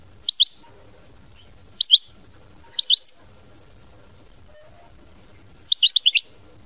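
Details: European goldfinch singing in the mama binette style: four short bursts of bright, high twittering notes, each lasting under half a second, separated by quiet gaps with faint low background rumble.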